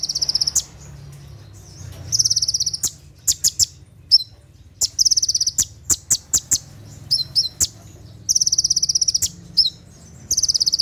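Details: Night-time 'tembakan' song of an olive-backed sunbird, played to train other birds: repeated bursts of rapid, very high buzzy trills alternating with quick series of dry, sharp chips and brief twittered notes, with a faint low hum.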